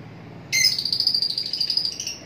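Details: Lovebirds calling: after half a second of quiet, a shrill, high, rapidly pulsing chatter starts abruptly and runs steadily for nearly two seconds against faint background hum.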